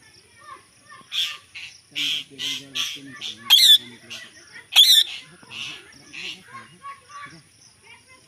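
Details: A talking parrot produces a string of hoarse, speech-like syllables and squawks about one per second, with two louder raspy screeches in the middle.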